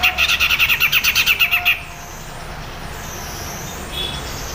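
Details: A bulbul, known locally as cucak jenggot, gives a fast, harsh chattering burst of about twelve rapid notes in under two seconds, then falls quiet over a soft background hiss. Black-headed bulbul.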